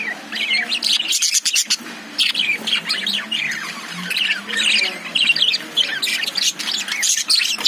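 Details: Lovebirds inside a cage chatter busily, with overlapping squawks, scratchy chirps and rising and falling warbles from several birds at once, and a low background hum.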